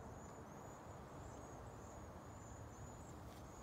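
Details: Cedar waxwing during migration in San Antonio, Texas, just before a freeze: thin, very high hissing whistles run almost without a break, slightly wavering, over a steady low rumble of background noise.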